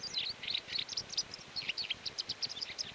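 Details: In the mountains of León, Spain, during May 2019, a white wagtail utters quick, thin, high twittering notes in a steady jumble over a low background hum.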